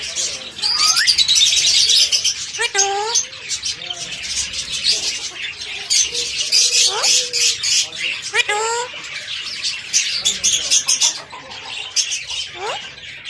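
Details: A talking parrot kept as a pet repeats harmonic, speech-like phrases and rising sweeps, some squawky, over continuous high chirping and hiss.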